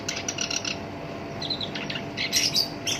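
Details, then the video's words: A captive black-browed reed warbler, valued for its rough song as a lure and master for songbirds, gives scratchy chattering notes that soften midway, then louder buzzy bursts toward the end. "SINCHAN (KERAK BASI ALIS HITAM) GACOR POL, SUARA KASAR COCOK BUAT PANCINGAN"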